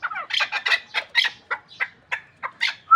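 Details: Hunting partridge from the Pamirs, a chukar, chattering in clipped, scratchy notes that start crowded and then space out into evenly separated chucks.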